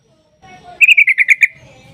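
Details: Sooty-headed bulbul giving a fast rolling trill of about seven loud bright notes, part of a lure recording intended to make other bulbuls sing back.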